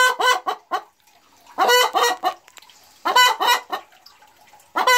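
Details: Having laid her very first egg, a Boris Brown hen boasts with raucous cackles, each a quick cluster of rasping clucks, returning about every one and a half seconds.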